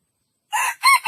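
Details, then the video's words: Junglefowl crowing: a short, loud fragment of two harsh, buzzy, rich-toned syllables, the second rising and then falling, against a silent background. "jungle fowl best crowing"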